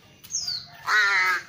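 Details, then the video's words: Tame young ravens being trained to come when called: a thin descending whistle, then a harsh, nasal, drawn-out caw lasting about half a second, rich in stacked overtones. "Melatih panggil Burung Gagak Gaok Jinak. My cute baby ravens"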